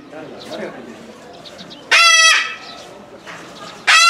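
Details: A captive Moluccan cockatoo (Cacatua moluccensis) at the Omiya Park small zoo, Japan, in December 2017, calling repeatedly, gives two loud, harsh, raspy screeches about two seconds apart over faint background chatter.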